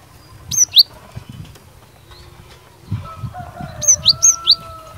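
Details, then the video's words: Cinereous tit delivering fighter song aimed at provoking other birds to reply: a pair of piercing high notes, a pause with faint background tones and rustling, then a quick run of four similar notes. "Burung Glatik Batu Gacor Fighter, Cepat Bikin Glatik Lain Langsung NYAUT"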